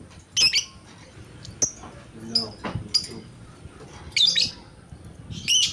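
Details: Lovebird giving sharp, piercing chirps at uneven intervals, a few paired notes, with quieter low sounds in between.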